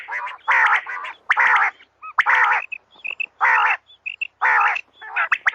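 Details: Female common quail calling: harsh, nasal bursts repeated about once a second, with short high clipped notes scattered between them.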